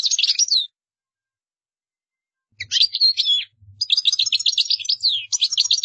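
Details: Goldfinch song labelled qdara: a short burst of high twittering, a pause of about two seconds, then renewed bursts of liquid chirps and rapid buzzy trills running to the end, with soft low knocks.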